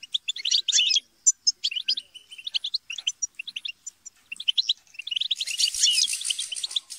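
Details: Squabbling chatter from a group of European goldfinches, meant to prompt singing; crisp twitters and chips give way to a dense, hissing burst of overlapping calls and fluttering.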